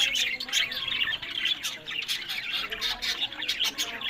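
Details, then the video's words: Budgerigars in a pet breeding flock from Larkana, Sindh: a busy overlapping mix of harsh squawks and quick chirps from several birds, pulsing in short bursts throughout. "Buddies Parrot Voice"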